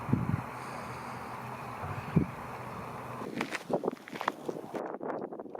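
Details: Outdoor wind hiss and low rumble, then rustling and handling thumps with footsteps, and no bird calls heard.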